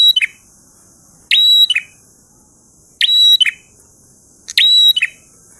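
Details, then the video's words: Vigorous ngalun-style song of a prinia, phrases repeated roughly every one and a half seconds, each opening with a sharp tick, holding a steady high whistle, closing with buzzy chirps; faint continuous high hiss behind. "Prenjak Gacor Ngalun Syahdu"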